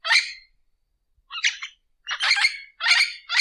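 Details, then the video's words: Orange-winged amazon giving harsh, raspy squawks in four bursts separated by short pauses. The notes are noisy and broad, the later bursts longer and louder. No other sounds are heard. "Canto do papagaio-do-mangue"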